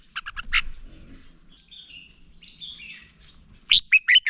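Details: Red-whiskered bulbul singing to stimulate other bulbuls during voice training; a few sharp notes at the start, soft scattered chirps and faint rustling, then a closing run of four loud, warbled whistles.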